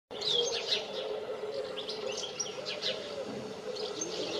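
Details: European goldfinch singing on power lines: a rapid, tinkling jumble of high twittering notes and short liquid trills over a steady low hum.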